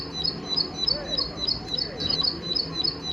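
A plain prinia repeats thin, buzzy high notes, about three a second, in a steady ticking run over a faint low background hum.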